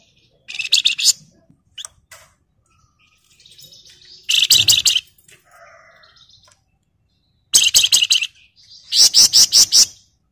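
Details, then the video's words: Flamboyan bird in 'gacor' song with 'ngebren rapat' bursts: four loud clusters of very rapid, grating buzzy notes, each about a second long. Short scattered chips and soft twitters fall between them. "Pancingan dan Masteran Burung Flamboyan Gacor Ngebren Rapat Nyerecet"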